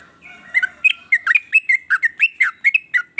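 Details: Sooty-headed bulbul singing varied phrases that make other bulbuls join in; after a quiet start, a rapid series of bubbly, downslurred and upslurred notes.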